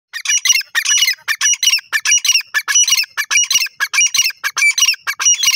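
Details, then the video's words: Francolin calling loudly and close; harsh, scratchy squawking bursts repeated rapidly in uneven clusters, about one and a half per second, continuing without pause for the whole stretch. "orignal awaz teetar francolin teter ki awaz"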